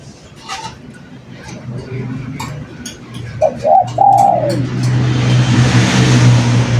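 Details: Spotted dove singing busily as a lure: faint clicks and taps early, then one clear phrase of two short coos and a long falling crooo, with rising background hiss and a low hum.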